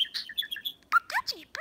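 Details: Pet budgerigar, caged indoors, imitating its male and female owners' voices while talking to a woman's reflective fingernails: rapid chirpy warbling notes, then a burst of speech-like, voice-imitating sounds, with people talking nearby.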